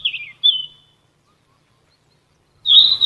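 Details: Ficedula flycatcher called sikatan emas, used to tutor captive songbirds: two quick slurred whistles, a pause, then a loud buzzy trill.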